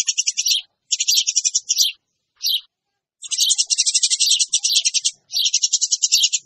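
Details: Lure recording of noisy Eurasian tree sparrows: several rapid chirping bursts of varying length and one short isolated chirp, with silent spaces between the bursts.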